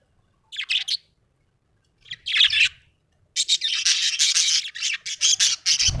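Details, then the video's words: Happy pet budgerigar chirping: short bursts of scratchy, buzzy chatter, then a long run of rapid warbling notes packed closely together, with faint low rumble beneath. "Happy budgie chirping sound"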